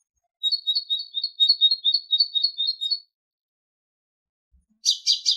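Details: A tit's song on a tape for training goldfinches: a quick, even series of high two-part notes repeated for about three seconds, followed by a rough buzzy chatter.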